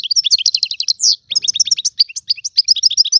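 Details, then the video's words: Free Algerian European goldfinch: quick repeated bright chirps and tinkling notes, roughly three per second, with a short buzzy note near the middle, steady lively delivery. "تغريد طائر الحسون الحر"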